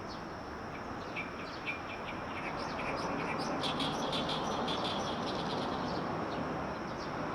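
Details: Early morning birdsong from riverside trees: quick repeated high chirps and short trills over a constant roar of river water.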